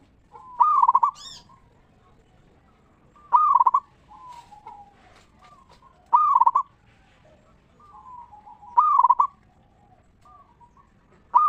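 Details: Local zebra dove singing, used as a lure to stir other zebra doves into song: loud bursts of rapid rolling coos repeated about every 2.7 seconds, with soft drawn-out cooing notes between bursts.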